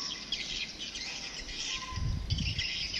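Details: Swiftlet lure sound, a new 2022 recording brought from Singapore and played to draw swiftlets, which reportedly returned in great numbers; dense high twittering chirps over a steady hiss, with a low rumble near the end.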